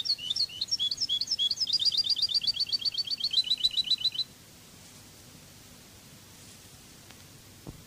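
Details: European goldfinch of the Cadiz song style, a training song for birds: fast repeated high twittering notes, about four per second for four seconds, then near silence with a faint click.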